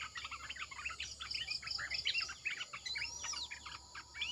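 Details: Red-eyed bulbul decoy song from a caged bird: loud, fast run of bubbling, slurred notes in close phrases, with an arching whistle sweep near the end and a steady insect hum.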